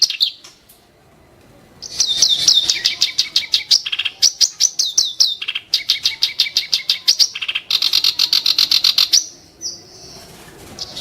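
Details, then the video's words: Clamorous reed warbler delivering a long run of harsh, sharp song: after a quiet start, rapid scratchy chattering and high clipped notes for about seven seconds. "burung KERAK BASI tembakan tajam & kasar"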